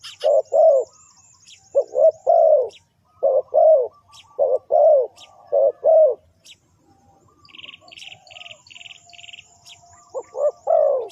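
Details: Spotted dove cooing, played to lure wild birds: low, hollow three-part coos, two quick notes then a longer drawn note, repeated about every 1.3 seconds. A short burst of rapid, higher chirps from another bird breaks in midway.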